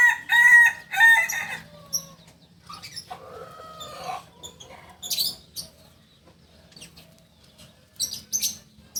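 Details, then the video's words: Kokok Balenggek chicken from Solok crowing in the landiak class: two loud harmonic crow notes at the start, then quieter stepped notes and scattered chirps and clicks with low hum beneath. "Ayam kukuak balenggek ayam penyanyi asli solok dengan kokok kls landiak"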